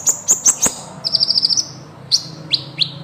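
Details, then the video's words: Kolibri ninja in full song for songbird training: four piercing high chips, then a rapid even trill of about eight notes, then a few spaced downslurred whistles, over a soft low hum. "masteran Burung KOLIBRI NINJA Gacor Ngeroll panjang"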